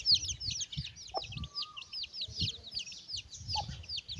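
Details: Mother hen with her chicks while eating. Dense, rapid high peeping chirps from the chicks run throughout, with a couple of brief lower hen notes and soft low pecking thuds underneath.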